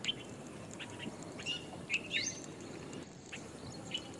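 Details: Jungle babbler (Argya striata) gives quick, thin squeaky chirps and a short rising note in a loose cluster around the middle, over a faint constant background hiss.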